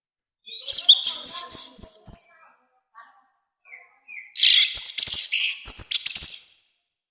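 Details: Loud orange-headed thrush song, harsh and strong, for training and provoking birds: two bursts of high, fast, warbled and wavering whistles with rapid chatter, separated by a short pause with a few soft notes.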